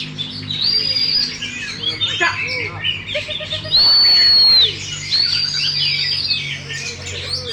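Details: Caged Oriental magpie-robin, a contest champion, opening its tail fully while singing: loud, long, sliding high whistles near the top of the range, mixed with rapid chattering notes, over a steady low hum.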